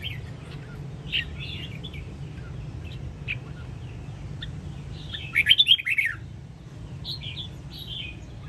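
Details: Caged red-whiskered bulbul of the Sông Kon line, played to train other birds' voices: scattered soft whistled notes, then a loud burst of rapid warbled phrases at about five seconds, over a low constant hum.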